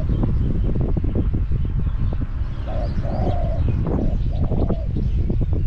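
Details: Spotted dove calling as a caged decoy used to lure wild doves at Song Phi Nong, Thailand; a few mellow, low coos with a drawn-out note around the middle, half buried under heavy low rumbling background noise.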